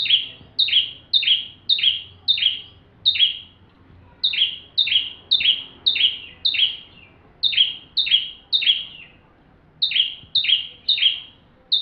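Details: Bar-winged prinia giving full song, used to train magpie-robins: long bursts of sharp, downslurred notes at an even quick pace, with short pauses between runs.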